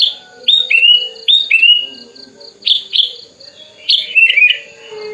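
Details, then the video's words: Wing-spreading tame sooty-headed bulbul, raised from young, calling a rival: paired falling whistled phrases twice, a gap, two bright chirps, then a jumbled warbling burst; soft steady hum behind. "kutilang gacor buka sayap, memanggil lawan"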